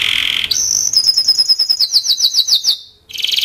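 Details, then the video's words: Timbrado canary song with a held whistle jumping higher, then a steady series of rhythmic downward-slurred chirps, roughly three per second, ending in a brief pause and a buzzy trill. "Timbrado canary singing beautiful melody"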